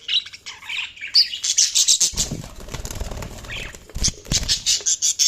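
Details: Budgerigar chirping with rapid high chatter, mixed with low fluttering wingbeats in the middle and near the end.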